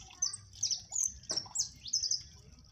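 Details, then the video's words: Siskin known locally as jilguero amarillo, singing reluctantly in the cold: a few bright, high slurred notes and short trills separated by brief pauses, with a soft click in the middle. "JILGUERO AMARILLO CANTANDO - CANTO DE JILGUERO AMARILLO MAQUINA"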